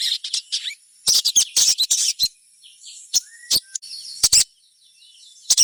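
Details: High, thin chirps and scratchy twittering from a crimson sunbird, a call used to stir other sunbirds to sing; clustered bursts of notes, a brief faint whistle, then scattered sharp chips.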